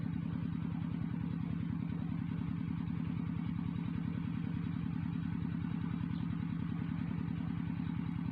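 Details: A steady, low mechanical drone of an idling engine pulses rapidly and evenly throughout, with no animal calls.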